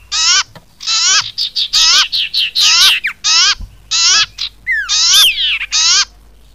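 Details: Lure call of a common iora for trapping: a quick series of loud, clear notes, each sliding steeply down, given in irregular bursts, with one upward-curving whistle and a brief squeaky overlap near the end.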